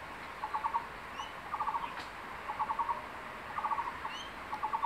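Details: Male crested goshawk at its nest site in secondary forest, holding a freshly caught tree lizard and calling his mate to come and eat. Short pulsed chattering bursts come about once a second. Thin rising whistles from other birds sound in the background.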